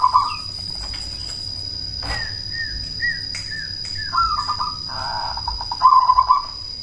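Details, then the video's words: Cemani zebra dove with a loud voice, used as a lure to make rival doves answer and raise their breeding drive: several short bubbling coo phrases, some rising then falling, trilled notes pulsing rapidly, over a constant thin high whine. "Perkutut cemani gacor suara BESAR pancingan ampuh bikin lawan langsung nyaut"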